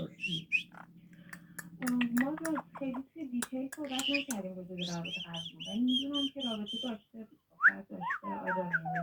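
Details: Yellow-headed amazon parrot talking, a jumble of speech-like syllables with rising and falling tones, squawky whistles and a sharp high note near the end; background music and a person saying hello.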